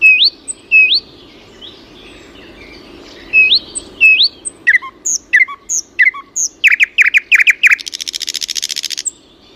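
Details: Birdsong of paired upswept whistles, then a quickening run of sharp descending chirps that ends in a fast, dense buzzing trill, over a soft low background hum.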